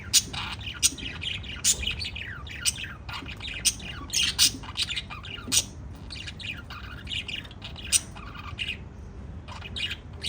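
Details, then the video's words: Constant chirping from pet lovebirds, a dense jumble of squeaky, downward-slurred notes broken by loud shrill squawks, with a brief lull near the end. "Cute LOVE BIRDS CHIRPING sounds - Pet Love Birds talking"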